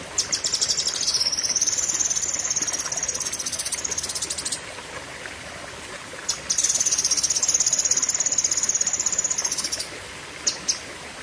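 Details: Cucak kinoi in a long 'pedes panjang' burst. A sustained buzzing, very high trill runs for about four seconds, a brief pause, then a second long trill and a few sharp clicks.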